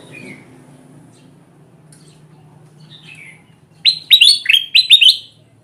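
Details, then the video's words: Golden bulbul lure sound for attracting wild birds: a few soft scattered chirps, then a rapid burst of about six loud, ringing, rising notes, slightly uneven in spacing, against a faint low hum. "SUARA PUKAT BURUNG KUTILANG EMAS GACOR PALING AMPUH"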